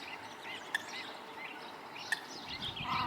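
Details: At Lake Wānaka, South Island, New Zealand, a Eurasian coot with chicks gives two sharp, clanking ticks like an electric fence, about a second and a half apart, over soft chirping from other birds.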